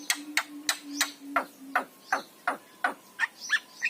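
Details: ['Javan myna recording meant to stimulate silent mynas to sing: a steady run of about a dozen harsh, downward-slurred chack notes, three to four per second, over a low hum.']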